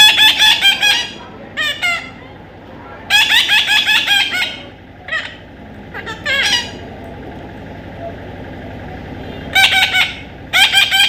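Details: Baby parrot calling in bursts of harsh, harmonic-rich squawks, each burst a quick run of repeated notes, separated by quieter pauses with faint background hiss.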